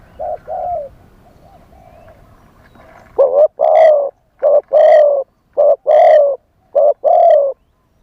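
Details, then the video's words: Live decoy spotted dove singing wild-style to draw in wild doves: after soft distant coos, loud close coo phrases start, each a short clipped note followed by a drawn-out, slightly falling coo, repeated rhythmically in a quiet setting. "เสียงต่อนกเขาใหญ่ คารมป่า 100 % ต่อสด"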